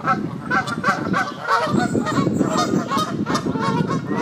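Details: On a pond in Midhurst, West Sussex, England, bathing Canada geese honk in a dense, overlapping chorus of rough, nasal notes, with steady splashing and low background noise throughout.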